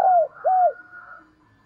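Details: Decoy spotted dove calling to lure other doves: two loud, low hooting coos, each sliding gently downward, followed by a faint fading hum.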